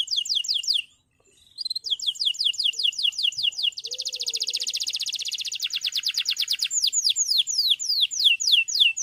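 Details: Male canary in full song, used to provoke rivals and train young canaries to sing: rapid high downward-sweeping whistled notes, a sustained buzzy trill, then more repeated slurred sweeps, with a brief pause near the start.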